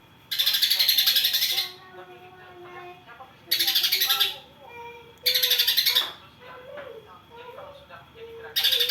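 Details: Greater green leafbird with a song filled with tree sparrow imitations: harsh, buzzy chattering bursts of rapid pulsed notes, each burst about a second long and repeated every couple of seconds, with faint low tonal whistles between them.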